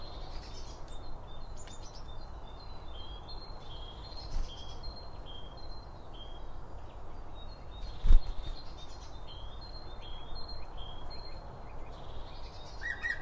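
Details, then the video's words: Birds chirping as they feed at a bird feeder, binaural microphones placed beside the seed: a long sequence of high, clear short whistles repeated steadily, with one sudden knock midway and low rumble throughout. "BIRD FEEDING SOUNDS"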